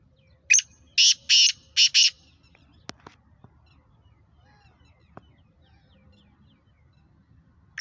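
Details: Kala teetar (black francolin), a sheedi cross of the nasal chakri wala line with a speeder voice, gives one clipped note and then four rasping, scratchy bursts within about two seconds. Scattered clicks and a quiet background follow.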